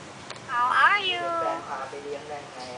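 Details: A talking common hill myna (Gracula religiosa), kept as a receptionist at a house in Hua Hin, gives a human-sounding phrase: a bright rising sweep, then a falling, drawn-out note with a slightly meowing quality, in a quiet room.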